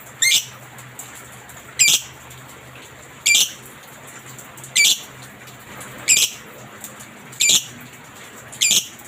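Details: Lovebird masteran recording: short, harsh, high squawky chirps given singly about every one and a half seconds, seven in a row, over faint steady background hum.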